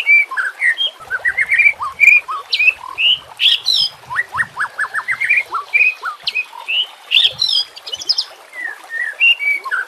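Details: White-rumped shama song used to train or lure other shamas, with natural ambience and trickling water: repeated short rising whistles, chattering notes and occasional harsh high bursts, fairly continuous over a faint hiss.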